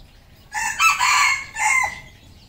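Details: Red junglefowl rooster on a farm in Cambodia crowing loud and close: a harsh, ringing multi-part crow of about one and a half seconds, rising then held and ending in a falling tail, over a faint murmur of other farm birds.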